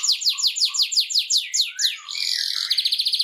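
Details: Canary song meant to motivate canaries to sing and to stimulate mating: a run of rapid downward-sweeping whistled notes, about six per second, then a brief buzzy roll and a fast, even trill of short pulses.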